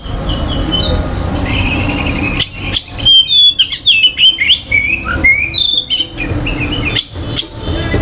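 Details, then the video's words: Oriental magpie-robin song to provoke rival magpie-robins' aggression and breeding drive; soft warbled notes over a low hum, then a loud stretch of bright whistles, slurred upslurs and fast chattering, tapering to scattered quieter phrases. "KICAUAN KACER || CEPAT MERANGSANG KACER LAIN TERDONGKRAK EMOSI DAN BIRAHINYA."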